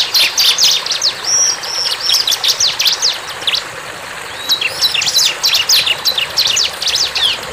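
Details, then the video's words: Bar-winged prinia (ciblek) singing a busy, high-pitched run of sharp chirps and short metallic notes in two rapid bursts with a brief pause between. "CIBLEK GACOR"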